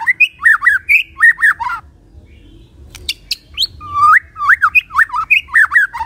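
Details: Morning lure song of a white-rumped shama meant to stir quiet shamas into singing: quick repeated down-slurred whistled notes in tight bursts, a short pause with low background hum, then sharp high notes and more rapid looping phrases.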